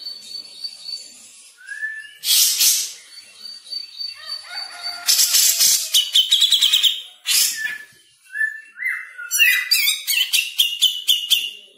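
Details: Grey-cheeked bulbul in 'speed rapet' song: varied phrases mixing sustained thin high tones, loud harsh chatter bursts, rapid rattling trills and short descending whistles, delivered quickly with few pauses.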